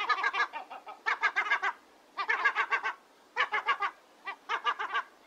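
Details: Gulls uttering quick, staccato, nasal notes in tight bursts of four to eight, bursts spaced about a second apart, with a couple of isolated single notes between runs.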